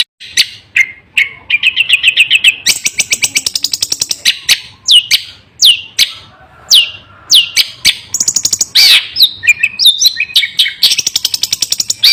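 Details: Long-tailed shrike delivering a continuous, aggressive song of harsh rattling series, squeaky high trills and quick whistled slurs, the phrases switching every second or two without a break.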